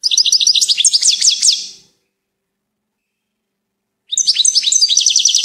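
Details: Goldfinch song in two bursts split by a two-second silence: rapid, high, tinkling twitters and sweeping chirps packed densely together, the second phrase rising into sharper repeated notes.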